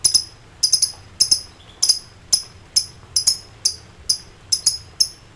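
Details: Lovebird, excited, calling rivals in ngekek song; crisp, high, metallic chirps come singly and in close pairs, about two per second, against a quiet low hum.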